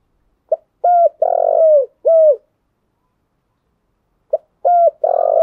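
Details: Spotted dove decoy song used to stir and train caged decoy birds: a short note, then loud, low, hooting coos in two rapid phrases separated by a pause of about two seconds, in a quiet setting.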